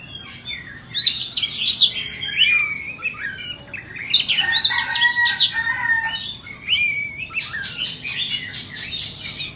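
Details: A white-rumped shama offered for sale sings in three loud bursts of rich, rapid whistles and chattering notes separated by quieter pauses.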